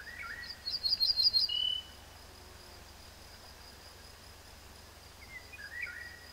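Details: Ortolan Bunting delivering one short, pleasant ringing strophe of rising high notes ending on a lower, drawn-out tone, followed by a long pause. Fainter, lower chirps from another bird are heard before and after.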